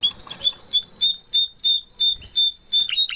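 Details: Canary parents with a chick: a rapid, loud series of sharp high chirps repeated about three times a second, steady throughout, recorded close up indoors.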